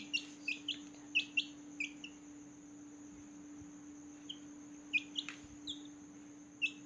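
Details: Small newborn chicken chicks chirping loudly at night. Thin, high, falling peeps come in scattered bursts of two or three, with quiet gaps between them, over a steady low electrical hum.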